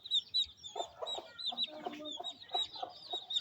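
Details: On a rainy day in village Pakistan, a mother hen feeds her chicks: short low clucks repeated in a quick series, while chicks give thin, high peeps above throughout.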